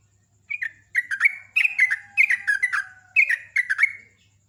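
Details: Sooty-headed bulbul, a caged songbird kept for singing contests, giving loud, rapid bubbly phrases of short whistled notes falling from about high to mid pitch, in bursts with brief pauses, and a faint low hum behind.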